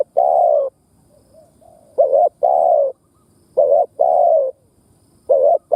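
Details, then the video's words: Spotted dove used for luring and stimulating other doves. Steady, low two-note coos repeat in a regular sequence, with faint distant cooing in the gaps. "Tiếng Chim Cu Mồi Đất Thúc gù gù cà lăm gáy"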